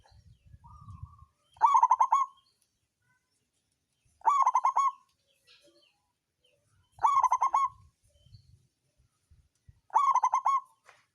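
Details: Local zebra dove of the songgo ratu style, used as a lure sound to stir rivals and prompt lazy birds to sing: four short burry phrases of quickly trilled coos, one roughly every three seconds, with faint low rumbles between.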